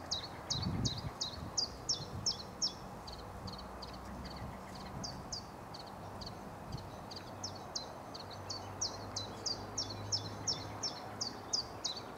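A great tit gives bright, metallic 'chink' notes, about three per second, in quick runs broken by short pauses, over a low rumble of background noise.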